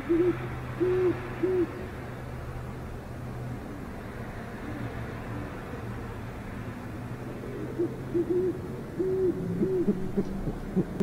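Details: Great horned owl pair at an urban nest in northwest Oklahoma City, the male trying again while the female is heard but not seen; soft, arched hoots in short runs near the start and again late, over low steady background hum.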